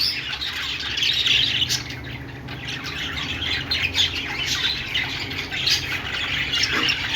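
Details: Budgerigars mixing harsher squawks and clicks into their high, restless chatter, the sound pulsing in short bursts.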